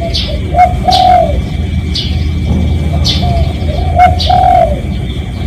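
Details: Spotted dove cooing as a lure for other doves, with two phrases of a quick note then a long, soft, slightly falling coo, a few seconds apart. High chirps from other birds and low background hum accompany it.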